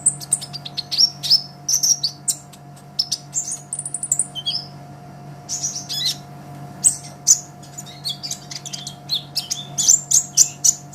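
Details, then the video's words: Olive-backed sunbird singing vigorously, for use as a master for songbirds: long bouts of quick high chips and thin whistled trills, a brief buzzy phrase mid-way, then rhythmic sharp notes, a faint hum throughout. "Suara Kolibri Ninja KONIN GACOR Untuk Masteran Kicau ! Konin Ijoan Gacor"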